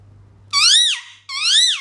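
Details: Pet parrot indoors making strange sounds; two loud, harsh, squeaky calls, each sliding up and then down in a rich rasping tone, separated by a brief pause, in a small quiet room.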